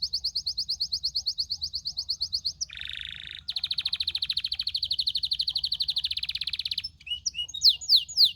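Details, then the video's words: Canary pouring out a fast trilled series, then a brief lower buzzy tour, a long even rattling trill, and closing sharp descending whistles. "Relaxing melodious bird sounds"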